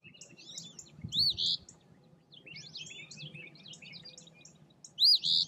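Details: An Eastern Phoebe, recorded 14 March 2024, gives two loud, burry fee-bee phrases about four seconds apart, each a sharp rising note and a buzzy second note, over faint chatter from other birds.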